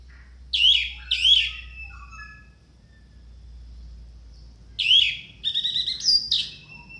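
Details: Orange-headed thrush, a loud tutor song for lazy caged birds, packed with varied phrases: two swooping notes with low slurred whistles, a pause, then another swoop followed by rapid stuttering trills and sharp high whistles.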